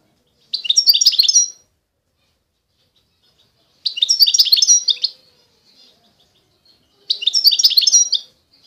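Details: Constantine-style European goldfinch from eastern Algeria giving three short twittering phrases, each about a second long. The high, jangling notes repeat roughly every three seconds, with quiet gaps between them.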